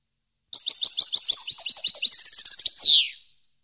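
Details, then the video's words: European goldfinch singing on a training recording for captive goldfinches: quick series of bright, clipped, high notes, a tinkling trill, and a closing downward-sliding buzzy note, with no other sounds. "Canto Para Educar Jilguero"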